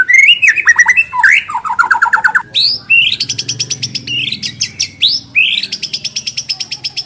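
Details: Energetic white-rumped shama song used as a lure so birds sing their varied repertoire: trills and slurred notes, then rapid high rattling series repeated in bursts.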